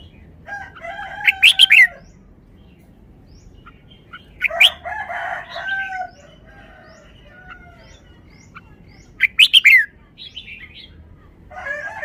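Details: Caged red-whiskered bulbul showing off its wild-style song phrasing: short bright whistled phrases with sharp rising and falling notes, about every four to five seconds, while a rooster's harmonic crowing and clucks overlap in the background.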